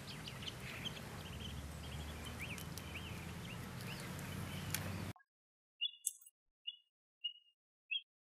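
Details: A migratory American avocet preening and flapping its wings gives four sharp, high 'kleep' notes about half a second apart, after a stretch of steady wind-like rumble with faint chirps.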